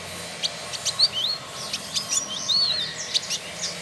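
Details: Male Village indigobird (trotol), kept as a tutor bird in Bandung, West Java, Indonesia, giving soft high whistles that curve up and down, spaced irregularly over a steady background hiss.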